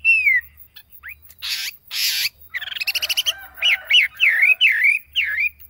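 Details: Song of a yellow phua decoy bird: a falling whistle, harsh rasping bursts, a quick rattle of clicks, then a series of looping, swooping whistled notes repeated about twice a second.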